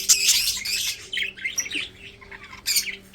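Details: A short burst of raspy budgerigar chirps from breeding birds fades into quieter twittering, then one more harsh squawk near the end, over a low steady hum.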